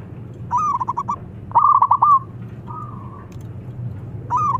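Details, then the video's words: Local zebra dove calling with a loud voice: two stuttering bursts of quick coo notes, a softer drawn-out coo, then another phrase starting at the end. "PERKUTUT LOKAL BERSUARA LANTANG MEMANGGIL BIKIN NYAUT"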